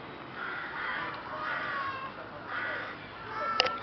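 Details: Rooks calling as a flock in Boscawen Park, Truro, 8 January 2021: a run of three or four rough, grating caws, each under half a second, with a sharp click near the end.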